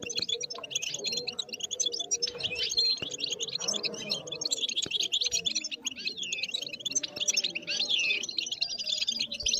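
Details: European goldfinch, described as wild, in a fast, jangling twitter of sharp chirps and short trills that runs almost without pause. Level rises and falls, and a soft low background hum continues.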